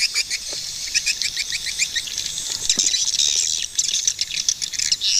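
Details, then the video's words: A group of swiftlets making fast, repeated high chirps in short series, layered over a steady twittering chorus. "Swiftlet bird sound🔊100% | ឡេងសត្វ ត្រចៀកកាំ យំលឺច្បាស់ល្អណាស់🔊100%"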